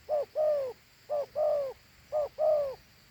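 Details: Two-note cooing from a big Thổ Hú dove: a brief first note, then a drawn-out mellow second note that slides down, the pair recurring roughly every second with steady rhythm.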